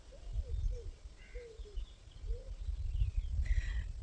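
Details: Wild pigeons living right next to a house in Nizhny Novgorod region, Russia, cooing in soft low drawn-out notes, five phrases in four seconds, with higher chirps of other small birds and low background rumble.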